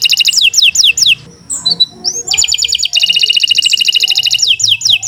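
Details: Canary (Kenari) in full long song for tutoring other birds: descending whistled sweeps, a short gap with faint background noise, then a sustained fast metallic trill ending in falling sweeps.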